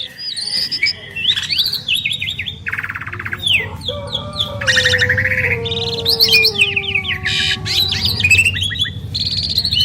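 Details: Duet of two Asian pied starlings: varied mix of whistles, harsh rasping bursts and chattering notes, with a long, steady low whistle held across the middle and busy overlapping phrases toward the end.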